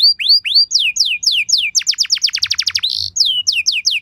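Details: Canary pancingan song meant to set other canaries singing, made of repeated down-slurred whistled notes in quick succession, a very rapid burst of sharp notes, a short buzz, then more falling whistles.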